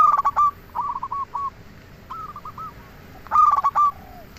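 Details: Zebra dove song for luring other doves, local bird: a loud rolling phrase of quick coos at the start and end, with several softer coo series in between.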